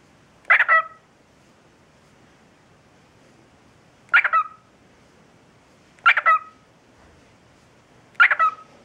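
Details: A pet cockatiel, taught the phrase in one day, says "peek-a-boo" in raspy, speech-like bursts as it is raised and lowered in front of a mirror.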